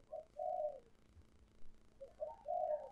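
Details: Distant, muffled coos of a spotted dove, an old wild-caught decoy bird used to lure wild doves. There are two short groups of mellow slurred notes against a noisy low background.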